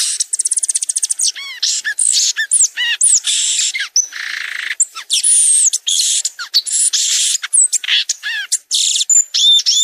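A violaceous euphonia sings a fast, varied jumble of high chips, dry rattles, and short arched whistles, run together almost without pause.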